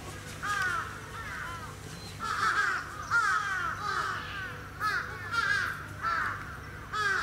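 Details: Captive Sarus crane, Gunma Safari Park bird park, Japan, November 2018: series of loud harsh trumpeting bursts, each about half a second, repeated roughly every second or so, over a constant low drone.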